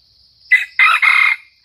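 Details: Lure bird, a Sumatran red junglefowl, crowing: a short harsh opening note followed by a longer, hoarse, broken crow that ends abruptly, with a thin insect hum underneath.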